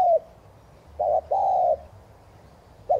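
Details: Spotted dove decoy coo, 'thúc gù' style, to stimulate other doves: the tail of one coo, then a single phrase of a short hoot and long level mellow coo, and the start of another at the end.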